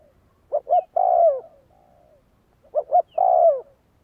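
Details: Spotted dove kept as a decoy for training, uttering two phrases: two quick clipped notes and then a long, full coo sliding downward, with a quiet flat coo between the phrases.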